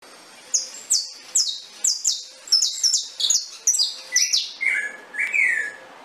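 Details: Saffron finch singing: a quick run of about a dozen bright, downward-slurred high notes, each chirp falling sharply, ending with a few lower sliding notes.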